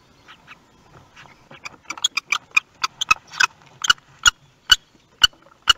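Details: Common kestrel at a nest in Théding on 18 May 2021 as the first chick hatched, picked up by a nest webcam; a fast run of harsh, clipped calls that starts soft and grows louder, about two calls per second.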